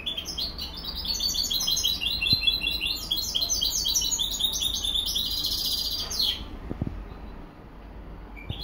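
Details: Song of a European goldfinch hybrid: a long, lively run of high, liquid twitters and trilled phrases lasting around six seconds, closing with a harsh descending buzz before near quiet with faint knocks.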